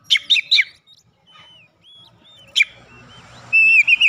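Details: Oriental magpie-robin singing gacor ngeplong with an open beak: three quick harsh chirps, soft thin whistles, one sharp note, then a loud whistled phrase at the end over a faint hum.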